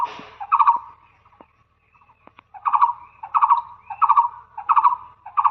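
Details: Rhythmic, repeated hollow double-note calls of a blue-eared barbet, each burst about half a second apart, broken by a brief silence with soft ticks before the steady series starts again.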